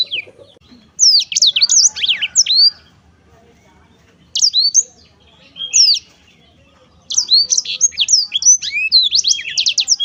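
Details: Black-throated canary singing cheerfully, bursts of rapid high sweeping whistled notes and trills separated by short pauses, three song phrases in about ten seconds.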